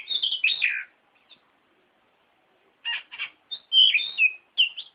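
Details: Oriental magpie-robin song used as a lure and training recording: a loud burst of warbled, slurred whistles, then a pause of about two seconds, then rapid chirps and bright rising-falling whistled notes. No other sounds.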